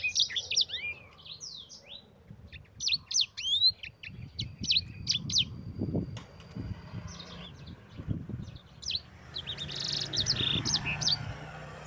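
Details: Yellow-fronted canary singing a long rolling training song for other birds: clusters of high, quick whistled slurs and chips in bursts with gaps, alongside low rustling and a steady background hiss.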